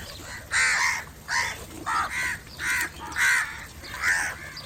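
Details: Crow giving a call to attract other crows: six loud, rasping caws repeated roughly every two-thirds of a second, each a coarse, slightly falling note, against quiet background noise.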